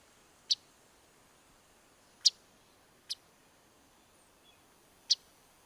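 A Chestnut-sided Warbler gives four sharp, high chip notes at uneven intervals over about five seconds, against faint background hiss.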